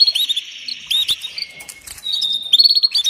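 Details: Female canary's mating call to a male: fast chirping trills, then a long, level, thin whistle, then a higher note leading into a quick run of repeated chirps.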